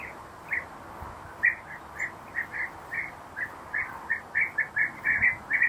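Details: European bee-eaters preparing insects and feeding nestlings in nest holes, uttering short, buzzy, trilled calls repeated roughly twice a second, growing louder and closer together toward the end.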